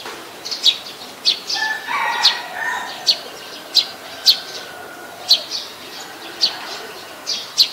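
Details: Repeated sharp, high chip notes from a Brown-throated sunbird, about a dozen in eight seconds, with a brief lower warbling sound early on. Ubon Ratchathani, Thailand, 13 January 2021, recorded with a Nikon P1000.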